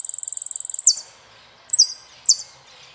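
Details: Saffron finch delivering a rapid, even, high-pitched trill of ticking notes that breaks into a drop, then two separate sharp double chips after a pause.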